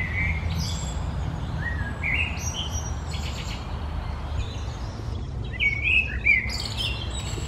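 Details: Common blackbird song on the morning of 1 June 2020, the bird signing off at the end: mellow fluted phrases, each trailing into a thin high twitter, separated by pauses, against constant low background rumble.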